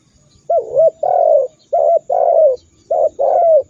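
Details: Spotted dove masteran meant to provoke rival birds into calling: three matching two-part phrases, each a short dipping coo and then a longer hoarse, falling coo, repeated about every second and a quarter.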